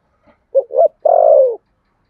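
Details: Single contest phrase from a spotted dove, Sấm Thổ voice style: a faint tick, two short rounded notes, then one long, warm coo that slowly falls in pitch.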